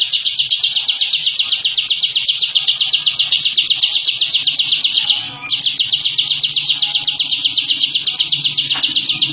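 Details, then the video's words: Bar-winged prinia, kept bird's ngebren song for training others, a sound used to intimidate opponents: continuous fast pulsed buzzy trill, roughly four beats a second, broken by one brief pause midway, then resuming unchanged. "Suara Masteran Burung Ciblek Ngebren & Rapat Abis"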